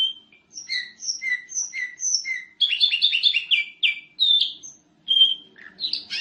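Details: Canary song used as a master for training other canaries: a series of paired high chips, then a dense burst of fast buzzy rolling notes, followed by clear whistles and sharp chirps with short gaps.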